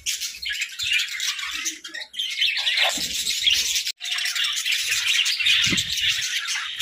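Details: A flock of pet budgerigars chatters steadily, a thick wash of high twittering and warbled chirps that drops away for a moment before resuming, with a few soft low knocks.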